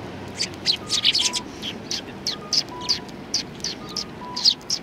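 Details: Eurasian tree sparrows, recorded 28 December 2019, giving a steady series of short high chirps from a group, with faint brief tonal beeps and background hiss.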